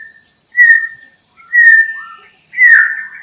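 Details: Three separate clear whistled notes from a white-rumped shama, each long and level, about a second apart, the last ending in a brief warble.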